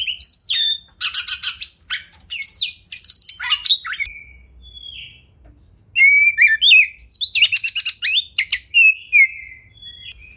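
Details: Caged Oriental magpie-robin singing full 'tembakan' training song: clusters of fast trills and sharp whistles, a quieter lull around mid-phrase, then a vigorous run of rising whistles and rattling notes.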